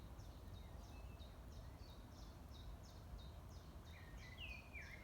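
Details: Bird song: a rapid series of high, short descending chirps repeated about three times a second, then louder, lower slurred whistles near the end, over a steady low rumble of background noise.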